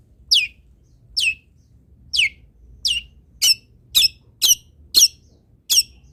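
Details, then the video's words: Long-tailed shrike song meant as a model for other shrikes to copy: a series of shrill, steeply falling whistled notes repeated at slightly irregular intervals, speeding up toward the end, with a faint low hum behind. "MASTERAN CENDET ANTI GAGAL - CENDET MANAPUN IKUT BUNYI DENGAR INI"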